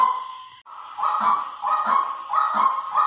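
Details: Lure call of a white-breasted waterhen: a thin held tone breaks off, then three or four hoarse, nasal notes follow in a steady rhythm, each with a crisp onset.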